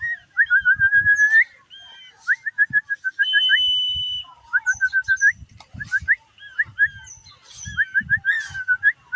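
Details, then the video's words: Actively singing tame common iora delivers chains of short, clipped whistled notes, a long level high whistle, and more stuttering whistle series, repeated several times per second amid light tapping sounds. "Burung Cipoh Gacor Dan Jinak"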